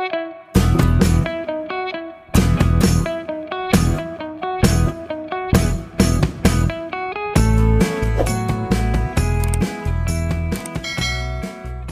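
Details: Strummed guitar music with heavy bass fills the recording; no animal voice is heard.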